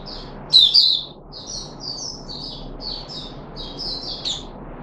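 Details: Red-whiskered bulbul (Puteh Raja) in captivity, 13 April 2021. One sharp whistled note stands out early, followed by a steady string of softer slurred whistles over hiss.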